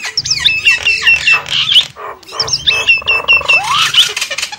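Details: Javan myna lure sound: two noisy bursts of chattering squawks and clear whistled notes separated by a short pause, with a rising whistled slur in the second burst.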